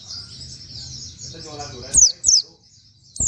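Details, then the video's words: White-eye (pleci) with canary-style 'wit wit' song, a tutor recording for other birds. A faint high twittering is followed by three loud, sharp, downslurred high notes, then a short pause. "pleci nembaķ wit wit kenari cocok buat masteran"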